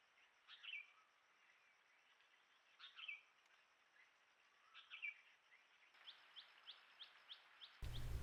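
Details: Tailorbird, probably Common, recorded by a trail camera at Rocky Pool, Huai Khayeng Nature Park, Kanchanaburi, Thailand, in March 2024. It gives a quick run of sharp, high "tick tick" notes near the end. Three brief whistled phrases from another bird come earlier, and a loud thump closes it.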